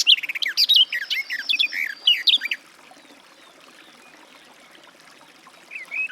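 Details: Garden warbler delivering a quick burst of warbled, rolling notes for over two seconds, followed by near silence and a brief soft resumption.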